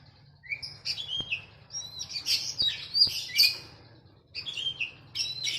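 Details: Training recording for a caged oriental magpie-robin, paired with sooty-headed bulbul: quick runs of bright whistles and buzzy chirps rising and falling, in dense bursts about a second apart, with a faint low hum beneath.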